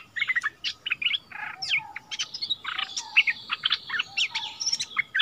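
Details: Decoy bulbul taken back to its former territory, trading doubled songs with a new resident bird in February 2021; busy overlapping chirps and bright whistled notes, with a low hiss of background noise beneath.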